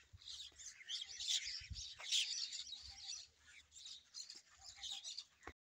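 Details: Mixed birds singing in the morning in the Punjab desert, a busy overlapping chorus of high chirps and twittering notes, with soft low thumps and background rumble throughout.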